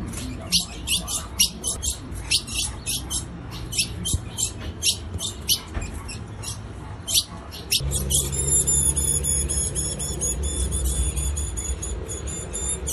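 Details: A female ultramarine grosbeak calls to excite a male, giving sharp, metallic chip notes about twice a second; near the end a steady background hum and thin high tones take over.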